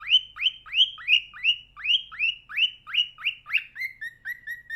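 A cockatiel sings a run of bright, upswept whistles, about three each second.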